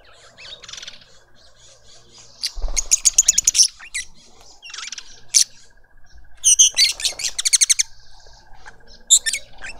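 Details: At a suburban garden in Pretoria, South Africa, a lovebird family feeds a juvenile. Rapid rasping, screechy notes come in two dense series of about eight each, plus scattered shorter squawks. A constant electrical-sounding hum runs underneath.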